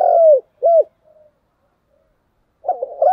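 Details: Spotted dove fighting call: the end of a drawn-out coo, a short rounded coo, a faint murmur, a quiet gap, then a new broken, gurgling phrase begins.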